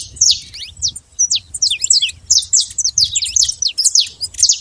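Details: Free-living saffron finch in natural surroundings, giving an energetic song of crisp, high-pitched chirps and slurred notes in quick clusters. A low rumble sits faintly underneath.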